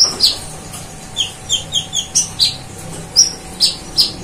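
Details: Very active, vocal kolibri ninja sunbird in full song, known for imitating cililin birds and golden grasshoppers: a sparse series of short, sharp, high chirps and flicked notes, some sliding down, spaced irregularly over a faint steady hum.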